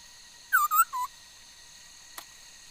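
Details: Chinese hwamei, noted for singing many kinds of sounds, recorded 13 August 2021: a brief phrase of three whistled notes, wavering then lower, followed by a single soft click over a steady hum.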